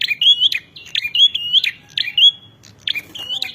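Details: Bar-winged prinia in fighting song, giving three or four clear phrases: a harsh buzzy stroke then a drawn rising whistle, each phrase about half a second apart.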